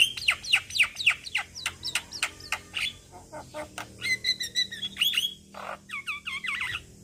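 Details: Quick sharp chip notes from a male Javan myna calling young companions lead into squeaky clicks, a sustained level whistle, a low nasal squawk, then curling whistled phrases.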